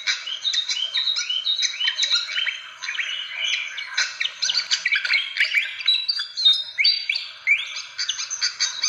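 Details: Fantail lure calls: a continuous busy stream of squeaky chirps and short slurred whistles, overlapping and densely packed.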